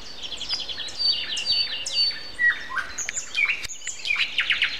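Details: Common nightingale singing at 7.55 on a Sunday morning, April 29, among other birds; dense, varied phrases of sharp whistles, downslurred notes and rapid trills overlap in a busy dawn chorus.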